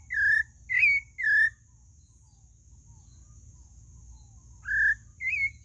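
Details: Pale-breasted thrush giving rich whistled notes, three in quick succession, then a silent gap before two more slurred whistles, set against a faint steady high hiss.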